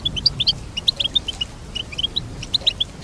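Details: Goldfinch song: a run of short, sharp, high chirps and twitters, mostly evenly spaced, some rising or slurred, a few notes doubled, over faint low background hum.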